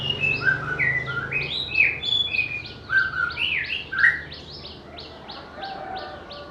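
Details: White-rumped shama, whose voice is described as melodious and varied with mimicry of other birds, delivering loud whistled phrases mixed with sharp chips, then a series of evenly repeated short notes fading away.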